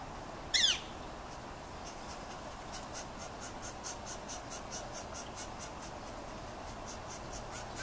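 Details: Yellow-shafted northern flicker nestlings, fed by their father, who calls on returning to the nest and gets the same call back before the young beg, give a faint rapid series of soft hissing buzzes, about four a second, after one sharp scratchy burst.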